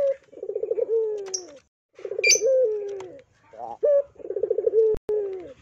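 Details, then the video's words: Spotted dove used as a lure to set other doves calling, giving low rapid pulsing coos. Each ends in a sustained descending tone, and a short quavering note and an abrupt clipped note sit between the phrases. Scattered high chirps sound briefly. "PANCINGAN PUTER GACOR"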